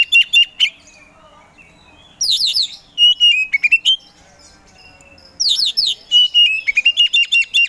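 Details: Caged Oriental magpie-robin (kacer poci) in loud competition-style singing: bursts of rapid sharp descending notes alternating with sustained whistled trills and chattering, in surging phrases with short silent gaps.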